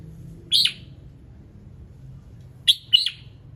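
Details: Morning song of a red-whiskered bulbul, played to encourage other birds to sing: one sharp chirped phrase, a pause of two seconds, then a quick double chirp, all high and bright above a faint low hum.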